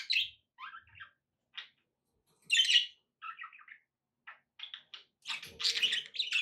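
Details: Pet budgerigars, meant to keep a parrot company and prompt it to eat and sing. Scattered short chirps and squeaky notes with pauses between them build into a denser, louder scratchy warble near the end.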